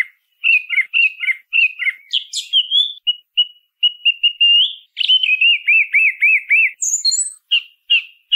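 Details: Song thrush song built from repeated motifs. Warbled double notes come several times, then simple short whistles are repeated in a row. Next comes a rapid series of six looping notes, then a thin high squeak and a few final phrases.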